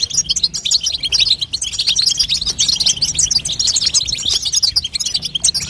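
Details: Goldfinch hen chatter (babtaba), played to strengthen a young European goldfinch's singing: an unceasing torrent of thin, high chirps and trills, densely packed with no pauses.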